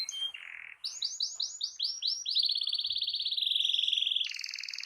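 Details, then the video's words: Master song of a canary, played to coax a silent canary into singing: a fast run of rising whistled notes merging into a long rapid rolling trill, then a higher buzzy phrase. "Terapi Ampuh Burung Kenari Macet Dijamin Langsung Ikut Bunyi II Masteran Suara Burung Kenari Gacor"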